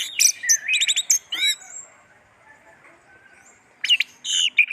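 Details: Orange-headed thrush kept as a songbird, bursting into fast, loud phrases of chattering notes and stacked whistles, falling silent for about two seconds, then resuming with another dense, buzzy burst.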